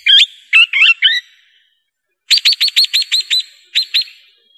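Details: Swift parrot calling: a few scratchy, wavering chirps, then a pause, then a fast run of about seven clear, sharp piping notes, and two more after a short gap.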